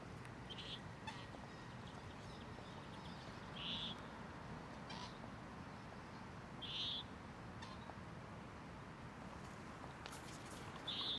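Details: Common moorhen in Tivoli landscape park, Ljubljana, on 25 October 2023, giving short, sharp, high notes spaced about three seconds apart over a steady low rumble of distant traffic.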